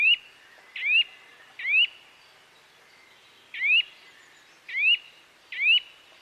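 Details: Bird chirping in nature, a clear rising whistle repeated six times, two quick pairs separated by a pause of nearly two seconds, with a gentle hiss behind.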